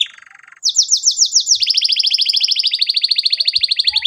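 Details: Canary song serving as a lure for young canaries learning to sing: a short low buzzy phrase, a run of sweeping downslurred notes, then a long even high trill repeated rapidly to the end.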